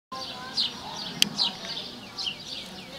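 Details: Cuban emerald, a hummingbird known locally as zun-zun, recorded in Cuba: high, thin, sharp chips, each quickly falling, spaced irregularly about once or twice a second, over a steady hiss of background insects or birds and one brief click.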